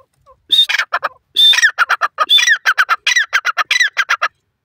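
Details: Repeated harsh call series of a grey francolin in Indian open country: each phrase starts with a higher whistled squawk, then rattles into clipped raspy notes, roughly three phrases over four seconds.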